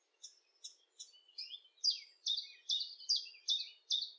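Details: Common chiffchaff song in the UK: a steady run of about ten high, sharp notes, two or three each second, alternating slightly in pitch like 'chiff-chaff', growing louder partway through.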